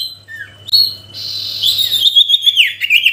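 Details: Sooty-headed bulbul singing to provoke a rival: faint high whistles, a breathy noisy passage, then a lively high warbling run of twisting notes.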